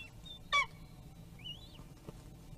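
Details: Bald eagle nest camera in Kisatchie National Forest, 12.01.2022, mid-afternoon; a short sharp burst followed by a single thin rising-then-falling whistle, with a faint low hum underneath.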